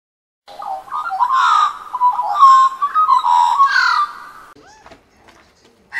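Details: Australian magpie family feeding on unsalted peanuts at a home in Melbourne, Australia; rich warbling, fluting notes gliding up and down for about four seconds, then a few soft clicks and a short note at the end.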